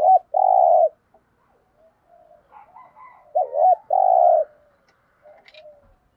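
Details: Thúc gù cooing of a spotted dove: two phrases, each a short wavering double note then a sustained low coo, separated by quieter soft warbling notes in the background.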